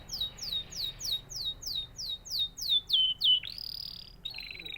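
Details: A canary sings a rapid trill of about ten high, downward-sliding whistles, several each second, then a sustained bright note and a short buzzy phrase.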